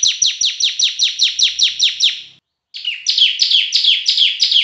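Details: Loud, semi-active bar-winged prinia (ciblek) song: a long, fast series of about twelve sharp, falling notes, a brief pause, then a denser, brighter run of repeated notes.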